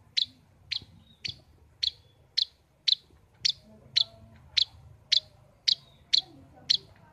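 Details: Long-tailed shrike kept as a caged pet, repeating a sharp, clipped high note roughly every half second, thirteen in seven seconds, with light background murmur.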